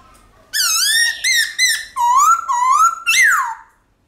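Black-throated Laughingthrush singing a loud run of rich, ringing whistles, each note swooping up or down, about six phrases in three seconds with nothing else heard.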